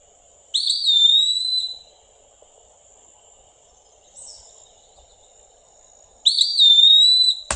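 An Eastern Wood-Pewee gives two clear, high, slurred pee-wee whistles about six seconds apart, with a faint softer note between them over a low steady hum.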